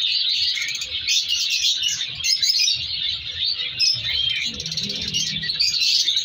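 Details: Colony of African colour lovebirds, mutations bred in captivity; a thick chorus of piercing chirps and squeals from many birds, with a faint low murmur partway through.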